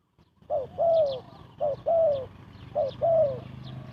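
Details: Spotted dove kept as a trapping lure, cooing rapidly: three pairs of a brief note followed by a longer falling coo, spaced about a second apart, with faint high chirps from other birds behind.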